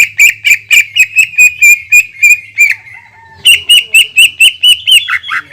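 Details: Greater green leafbird singing long 'tembakan' shots, used as a lure to provoke other leafbirds: rapid series of loud, sharp, ringing notes, about one a quarter second, a one-second pause, then a second fast series ending in lower rasping notes.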